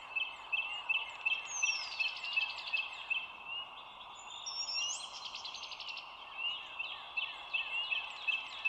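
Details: Bald eagle heard from a live eagle cam with an overhead view, morning of 25 March 2022 at 07:16; high, thin chirping calls repeat rapidly in series, some rising squeals, over a steady background hiss.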